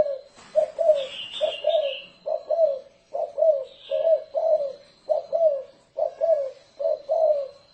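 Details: Thổ rền style coos of a spotted dove serving as a decoy: repeated low mellow double notes about once a second, with high thin chirps of another small bird early on.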